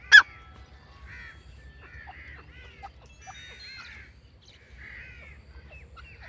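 A francolin gives a run of harsh, arched, slightly nasal notes in quick phrases, with a sharp click at the start and a low steady hum beneath.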